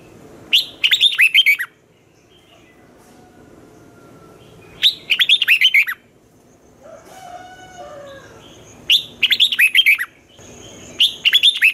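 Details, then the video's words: Red-whiskered bulbul, a kept bird, giving a morning song of the twisting style, used to train young birds and to goad rivals in song contests: short bursts of bright, warbled whistles rising and falling, repeated about every four seconds, with faint lower chirps between. "luyện chào mào hót sáng, Giọng xoắn hay dùng để ép bổi, Má trắng học giọng rất hay, chào mào hót đấu"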